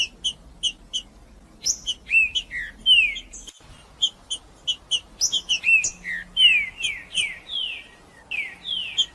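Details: Green-winged saltator male singing to challenge another male; evenly spaced high chips open, then brief pauses give way to a series of falling whistled phrases growing denser toward the end.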